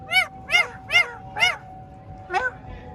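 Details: Pet green Indian ring-necked parakeet, described as a talking parrot, giving four loud arched, harsh calls in quick succession about every half second, then a pause and one more call, over a low steady background hum.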